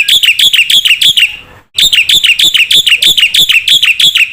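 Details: Black-winged myna in lively chattering song, recorded to train and provoke young cage birds: fast repeated squeaky whistled notes, about three a second, with a short pause in the middle.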